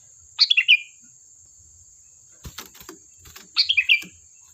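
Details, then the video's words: Song of a sooty-headed bulbul, used to provoke replies: a bubbly four-note descending phrase, a few sharp knocks and clicks, then a second matching phrase, over a continuous high whine. "Suara burung Kutilang Gacor"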